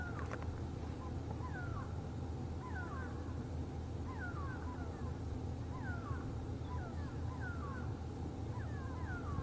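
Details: Grey go-away-birds at Djuma Game Reserve, South Africa, on a July 2015 morning safari drive, give nasal, down-slurred alarm cries, repeated about every second, while a little owl sits in a nearby tree; steady low engine rumble.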